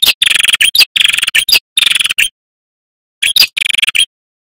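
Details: Vigorously singing male prinia, local name prenjak kepala merah, offered as a trapping lure and training audio: dense clusters of fast dry rattling notes in quick succession, then a silent gap of about a second before two more bursts.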